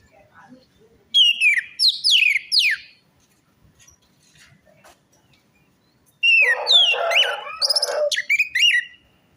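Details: Orange-headed thrush singing, played as a lure for a bird that has stopped singing or is stressed: a series of sharp, descending whistled slurs, then a dense, scratchy, jumbled phrase with rapid chattering notes.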